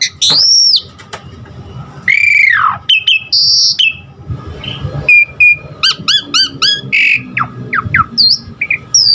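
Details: Varied Asian pied starling song recorded as training material for caged birds; long looping whistles and harsh nasal notes, then quick downslurred whistles in a rapid cluster, followed by scattered buzzy calls.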